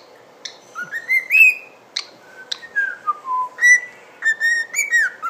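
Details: A cockatiel whistles the Addams Family and Darth Vader themes in clear rising and falling notes, broken by sharp clicks, and says "what you doing".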